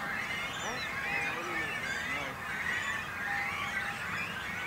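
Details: Great cormorant breeding colony with young on a small island in a little lake in Langedijk, between Noord- and Zuid-Scharwoude: many overlapping squeaky, wavering calls, some rising and falling, over a steady murmur of lower croaks.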